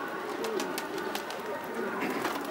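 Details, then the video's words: Kept pigeons in Kabul, Afghanistan, part of a pigeon-keeping hobby; soft low cooing notes come through a steady hiss of background noise, with faint clicks and possible voices. "کفتر بازی در کابل"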